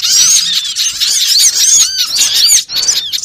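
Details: Small birds in a lure recording for trapping: a dense, high-pitched chorus of overlapping squeaky chirps and arching whistled notes, continuous and busy, with only a brief dip near the end.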